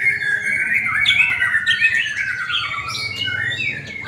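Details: White-rumped shama at an Indonesian singing contest. A strong, drawn-out whistled phrase slides gradually downward, followed by brighter rising notes, with faint overlapping birds.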